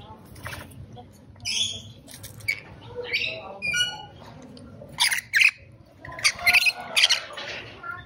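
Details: Rainbow lorikeet squawks: sliding, whistled screeches and harsh rasps come irregularly, about every second or two. Louder grating bursts follow toward the end.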